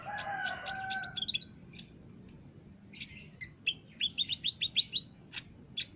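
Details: Olive-backed sunbird song for training caged birds: after a lower droning tone at the start, high sharp chips and a quick series of about eight rising squeaky notes, evenly spaced, close the phrase.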